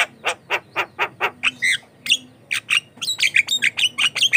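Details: Javan myna singing energetically, a song suited as a lure for untrained mynas and for tutoring them: six evenly spaced harsh rasping notes about a quarter second apart, then a quick medley of squeaky, whistled and metallic chattering notes.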